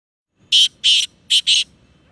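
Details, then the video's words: A Sindhi black francolin (kala tetar) gives four loud, harsh, grating notes in two quick pairs over about a second, with nothing else heard. "Kala Tetar Awaz"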